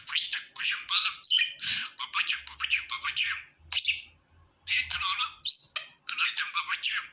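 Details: A contented domestic budgie chatters almost nonstop: rapid buzzy, rasping chirps mixed with thin, high, squeaky whistles, and only short breaks between bursts.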